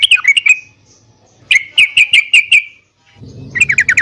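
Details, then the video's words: Energetic yellow-vented bulbul song meant to provoke kept birds into replying: short runs of rapid, liquid chirping notes, a clear pause, then another bubbly run, ending with a rumbling low background noise under the final phrase. "trucukan gacor SATU INI COCOK BUAT TERAPI MENTAL agar burung trucuk gacor NYAUT EMOSI SEKETIKA"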